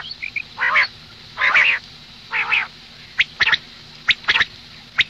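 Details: Three rough, quacking rasps from a female common quail in the morning, each about a quarter second long, followed by sharp isolated clicks.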